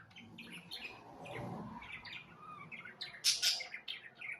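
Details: Budgerigars warbling: rapid chattering of short, high chirps and squeaky notes, with a brief low rumble early on and a louder burst of scratchy notes near the end.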